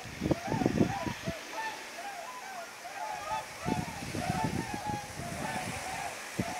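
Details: A flock of whooper swans flying at night on autumn migration, arriving at Mutsu, Shimokita, Japan, 15 October 2015: many short, trumpeting, nasal hoots overlapping in loose bursts, with low wind-like thumps coming and going.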